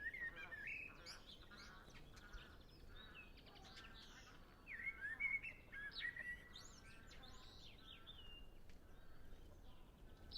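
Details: Common blackbird song, with a short mellow warbled phrase at the start and another fuller, fluting phrase ending in squeaky twitters midway, separated by quiet stretches filled with distant birdsong.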